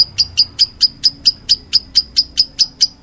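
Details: Lovebird in meloloh calling: about fourteen crisp, high-pitched chirps in just over three seconds, evenly spaced and sharp.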